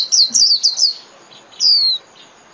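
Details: Japanese white-eye song used to train caged birds: a few quick high chirps followed by a single long, thin whistle sliding downward.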